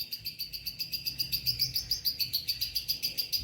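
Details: Pet lovebirds chirping: a fast, steady run of high, sharp chirps, about three to four per second and evenly spaced throughout, over a faint low hum.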